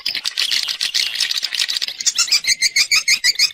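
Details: Swiftlet external sound, 2020 set: buzzy chirping chatter that turns into a rhythmic series of sharp twittering notes, several each second.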